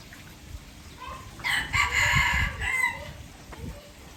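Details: Red junglefowl from Aceh, a recording used as a lure for trapping: one loud, harsh, harmonic crow of about one and a half seconds, broken into several stuttering segments and ending abruptly, with low rumbling background noise.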